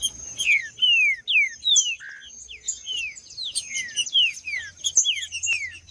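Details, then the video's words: Singing green-winged saltator in male fighting mode, a fast string of bright falling whistles and short buzzy notes, with a persistent high electronic-like hum in the background. "Trinca-ferro Macheando"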